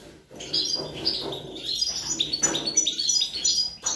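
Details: European goldfinch feeding its young on 25 April 2021; a loud, close jumble of twittering and chirping notes with some rougher lower tones mixed in, ending abruptly.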